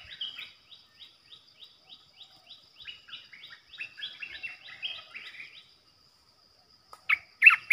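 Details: Decoy Olive-winged Bulbul for bird trapping: a long train of soft, evenly spaced short notes that swell into a chattering jumble. A brief pause follows, then two loud, sharp notes.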